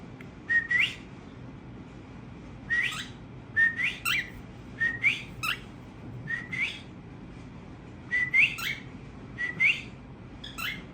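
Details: Tamed pet cockatiels, a family group singing together: short rising whistles, each sweeping upward at the end, mixed with harsh raspy chirps in bursts spread irregularly across eleven seconds, over a faint low background hum.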